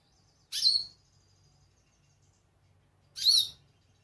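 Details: Goldfinch calling twice, the high, sweet slurred chirps spaced about two and a half seconds apart, each loud and clear against near silence.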